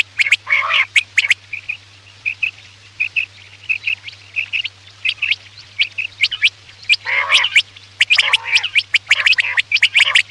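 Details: Quail calling at night as a hunting lure: a long run of short, regular chirping notes between clusters of sharp clicks and harsher buzzy bursts, with a steady low hum.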